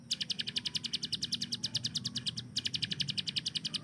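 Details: Hill prinia kept as a tutor bird for training songbirds, delivering its rapid-fire 'tembakan' burst song: a fast, even string of high ticking notes, about nine per second, with a brief break near the middle and low background hum.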